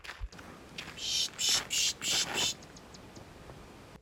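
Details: A Black-throated Sparrow, a common desert bird, at Box Canyon in southeast Arizona gives five bright, high, buzzy notes at about three per second, then a few faint tinkling notes.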